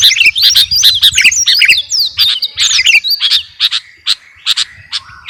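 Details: Sooty-headed bulbul of the kutilang garuda kind, singing for caged-bird training: a fast opening jumble of whistled chirps, then sparser single sharp notes spaced out toward the end.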